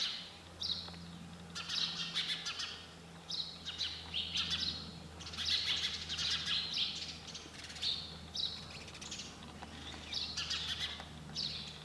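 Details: Sparrow twittering at length, clusters of shrill chirps with short gaps between them, over a steady low hum.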